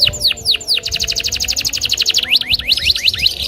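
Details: Agitated loper canary challenging a rival. A few deep descending sweeps are followed by a rapid, evenly spaced trill, then looping up-and-down whistled notes.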